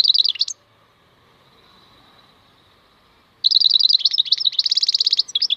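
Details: Maknine khalwi, a European goldfinch, delivering a short twittering phrase, then after a three-second silence a longer run of quick tinkling notes that ends in a dense buzzy trill.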